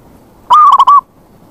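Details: A zebra dove call meant to draw in wild doves. A brief bright whistle breaks into a rapid stutter of four notes, then stops abruptly over light background hiss.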